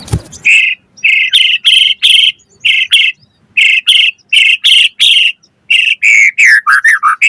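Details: White-rumped shama song played to provoke rival birds into singing: a brief noisy start, then a steady series of bright, strong whistled notes repeated about twice a second, ending in quicker downward-slurred notes.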